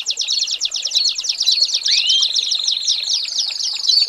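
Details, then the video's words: American singer canary, recorded as a training tutor for young birds, delivering rapid chattering trills of repeated high notes, shifting pace partway through and punctuated by a rising whistled slur. "American Singer Canary - Canario Belga"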